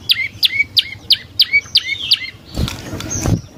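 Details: Prenjak lumut prinia used as a lure so birds reply. Seven crisp chirps, each a high downward flick ending in a lower hooked note, evenly spaced about three times a second, then a burst of rustling noise.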